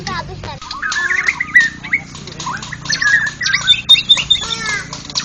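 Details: White-rumped shama, national contest winner, singing ngeplong style: dense bursts of whistled, swooping notes and high chattering trills following in quick succession, over a low droning background.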